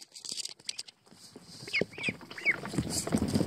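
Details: Young American Pekin ducklings paddling in a tub of water let out a few short, arched peeps midway, amid splashing and dabbling noises.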